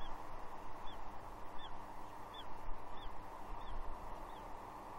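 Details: Juvenile female bald eagle perched near her father on a gnarly tree at Two Harbors, Catalina, June 30 2021, begging for fish; six high, thin descending squees at regular intervals over constant noise.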